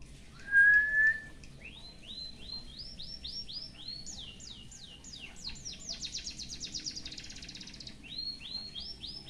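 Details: Canary-filled white-headed munia song for tutoring opens with a loud, steady whistled note, then rows of arched rising whistles, a dense buzzy run of rapid downstrokes, and more arching whistles.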